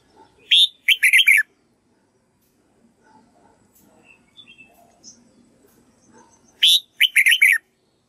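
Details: Red-whiskered bulbul practising song to teach a white-cheeked bird. Two identical phrases, each a rising note and a rapid warbled run, about six seconds apart, with faint low murmurs in between.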